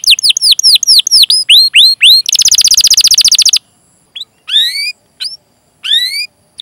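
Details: Canary 'cuit cuit' song with rolls, used to encourage young, untrained or silent canaries to sing. Quick series of down-slurred whistles, then a rapid high buzzing trill, then a pause broken by a few separate rising-and-falling whistled chirps.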